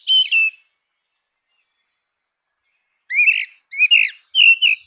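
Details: Grey-winged blackbird singing in natural habitat: a fluty two-note whistle, a pause of a few seconds, then three quick rich warbled phrases with high twittering overtones.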